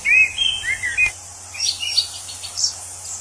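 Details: Wild orange-headed thrush giving one rapid whistled phrase of smooth down-slurred notes lasting about a second. Faint high chips and steady insect buzz follow.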